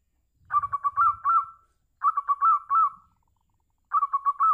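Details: Local zebra dove calling to draw replies from other doves: a clipped, mellow cooing phrase of several quick notes ending in a longer coo, repeated three times about every two seconds, with a faint low rumble at the start.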